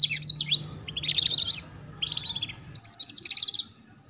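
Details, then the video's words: Ngeriwik-style canary training song meant for young birds learning to sing: four quick high bursts of rapid chattering notes and trills separated by short gaps, the last burst a fast even rattle, with a steady low hum underneath. "Pancingan Kenari Paud Belajar Bunyi Ngeriwik || Suara Masteran Kenari Paud"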